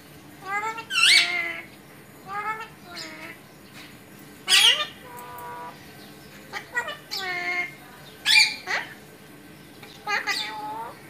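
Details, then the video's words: Alexandrine parakeet talking: a pet parrot producing short speech-like phrases of stacked, wavering harmonic syllables, several bursts spaced over the recording with harsher high-pitched notes mixed in, against a quiet indoor background. "Alexandrine parrot talking"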